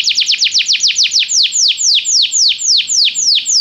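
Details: Belgian canary singing during song training: a fast, steady roll of downslurred whistled notes, about four per second, each sliding from high to lower pitch, continuing evenly throughout.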